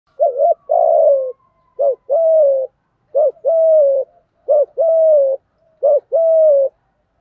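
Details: Spotted doves, male and female, cooing in a lure recording meant to stimulate wild doves to coo and come in: a short rounded note followed by a longer falling coo, repeated about five times, with no background sounds.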